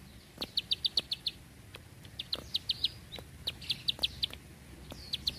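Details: Bar-winged prinia delivering 'tembakan panjang rapet' bursts: short runs of four to six high, dry clicks separated by gaps, fainter in the middle, with a quiet background.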